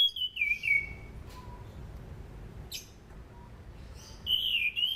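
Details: Orange-banded thrush used as a lure for training songbirds: a short whistled phrase dropping in pitch opens the recording, a quiet interval follows, and a higher whistled burst closes it, over faint background hiss.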